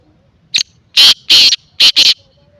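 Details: Kala teetar, the black francolin, calling in one loud phrase: a brief clipped note, two drawn-out scratchy notes, then two rapid harsh notes close together, against near silence.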